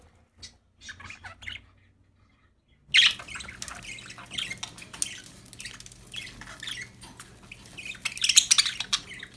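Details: Happy pet budgerigars in a busy chattering flock, a dense stream of scratchy chirps and squawks starting after a near-silent opening, with louder bursts near the end.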